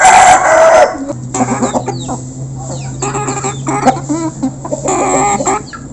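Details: Flock of local chickens recorded up close while being fed. Busy overlapping clucks and short nasal squawks come from several birds, with an early loud call at the start, over a steady low hum and a thin high whine.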